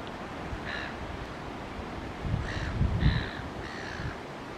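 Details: Greater crested terns bathing in the surf at Port Sorell, Tasmania: four harsh, rasping calls spaced about a second apart, over a steady rumble of surf and wind.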